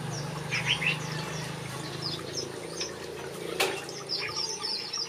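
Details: Backyard aviary finches give scattered high chirps and short twitters, sparser than a full chorus. One sharp click cuts in just past the middle, followed by a renewed burst of thin, high notes. A steady low hum continues behind.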